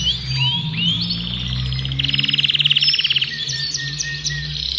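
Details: Yellow adult male Belgian canary, Agatha breed, sings to warm up a hen for nesting and teach chicks; whistled rising sweeps lead into a loud pulsing trill, then softer twitters, with low hum behind.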